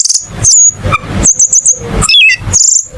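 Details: Cucak keling song with short high whistles and trills in separate bursts, including a quick descending run of notes, over a faint low rumble.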